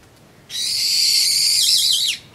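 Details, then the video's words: Brown-eared bulbul calling as it drinks juice, 26 April 2012: one loud, harsh, high screech held steady for about a second and a half, then wavering and sliding downward at the end. "ジュースを飲みながら鳴くヒヨドリ Bulbul chirping and drinking juice"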